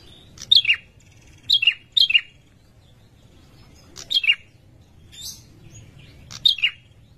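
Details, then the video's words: A male prinia gives a mating call to a female: sharp, high, downslurred chirps, singly or in quick pairs, about every second or two, against a quiet background. "Prenjak bawah/Prenjak lumut jantan suara birahi memanggil betina"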